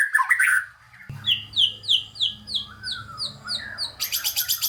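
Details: White-rumped shama song meant to rouse unmotivated shamas: a harsh chattering burst, then a regular series of falling whistled notes, about three per second, ending in a very high rapid trill.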